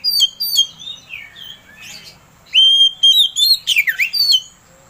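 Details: Oriental magpie-robin lure song aimed at prompting another bird to sing: clear sustained whistles, falling slurred notes, and a loud run of sharp phrases in the second half.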